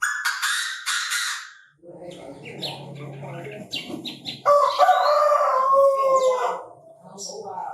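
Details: Chinese francolin calling in a bird-trapping setting: loud, harsh, harmonic notes in a rapid ringing phrase, a burst in the first second and a longer strident phrase near the end, with quieter chirps and low noise between.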